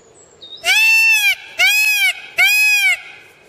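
A peacock gives three loud, nasal, wailing cries in quick succession, each under a second long and slightly arched in pitch, with little else heard.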